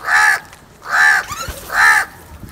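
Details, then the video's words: Three loud, drawn-out, raspy caws about 0.8 seconds apart, given by a crow during a fight over food. "Crow Fight video | Crow sounds and Eating Foods"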